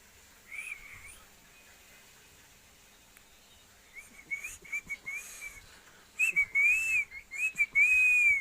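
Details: Pet parrot in Assam whistling: short wavering pure whistles, rising and falling, quiet at first then louder strings of warbled notes near the end, with faint clicks and background rustle.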